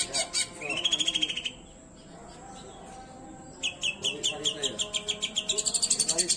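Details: Long-tailed shrike singing, unedited recording meant to stir up quiet or stressed shrikes: rapid series of sharp chirps, a rising whistle, a pause, then fast repeated ticking notes.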